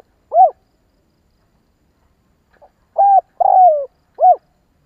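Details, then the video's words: Spotted dove calling to spur other doves into calling. An arched coo, a pause, then a flat coo, a drawn-out descending burred coo and a final arched note, all clean and low-pitched. "Chim cu gáy kích bổi nhanh nổi"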